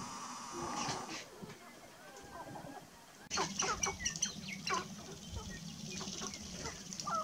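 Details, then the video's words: Male Sharp-tailed grouse on a lek at Burwell, Nebraska, 29 March 2018: overlapping clucks, cackles and short whoops, with sharp clicking notes and a steady background murmur. "Sharp-tailed Grouse"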